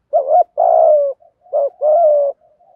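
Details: Spotted dove cooing in the thổ voice style, male and female, used to stimulate wild birds: two low phrases, each a short wavering coo then a longer steady, slightly falling coo, followed by faint soft trailing notes.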